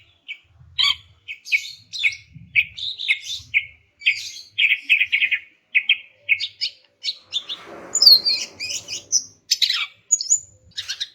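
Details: Greater green leafbird female, used to prompt quiet males into song, delivering a long run of rapid chirps and twittering notes, bright and high, with a brief louder harsh flourish midway.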